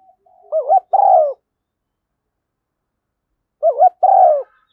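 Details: Spotted dove hen giving a decoy call to excite lure birds, thúc gù and gáy gọi styles: two matching phrases about three seconds apart, each a wavering double coo followed by a fuller, falling, throaty note.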